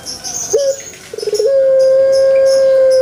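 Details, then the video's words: Pelung chicken crowing: a short opening note, a quick stuttering run of pulses, then a long, steady, rich tone held level to the end. "THE BES ORIGINAL SOUND // puter pelung Andalan"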